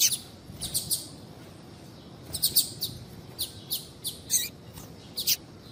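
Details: Calling female Double-collared Seedeater, used to stimulate a male that has stopped singing: short, thin, high-pitched chirps in loose clusters with quiet gaps between them.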